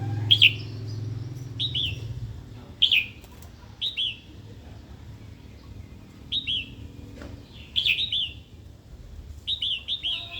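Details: Female red-whiskered bulbul calls aimed at stirring a wild-caught male to sing and fight; loud chirped notes and doubled downslurs repeated irregularly, about every second or two, with low rumble early on.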